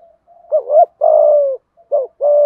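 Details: Spotted dove giving thúc gù cooing in a deep, earthy voice: a short two-part coo followed by a long, steady, low hoot, then the same phrase again, with clean silence between.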